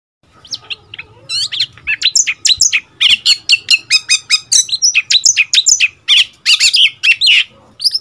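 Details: Oriental magpie-robin, a seven-month-old decoy bird newly moulted into young plumage, trading song with wild birds: a fast, rich stream of varied whistles, buzzy notes and chips that barely pause.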